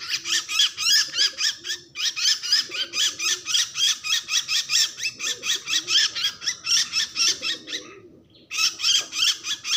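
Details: Bird crying in distress: a rapid, almost continuous train of high, grating squawks, about four per second, with brief breaks, steady and agitated.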